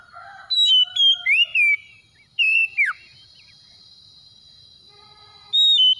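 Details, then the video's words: Oriental magpie-robin (kacer) lure song meant to coax a quiet bird into singing: quick bursts of whistled, partly harmonic notes, a pause with a faint steady high tone, then another clear whistle. "SEKALI PANCING KACER SUSAH BUNYI LANGSUNG ON IKUT GACOR"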